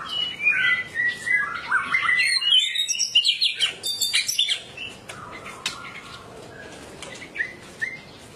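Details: A white-rumped shama, used as a lure for other birds, pours out a rich, fast song of varied whistles, rising and falling slurs and sharp chips, then eases into quieter scattered notes.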